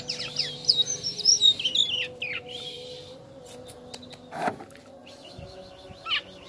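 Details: Starling in full, vigorous song, locally called jalak kapas: sharp whistled and chirping phrases crowd the first two seconds, then sparse clicks, a lone squeaky note and quieter twittering over a low steady hum.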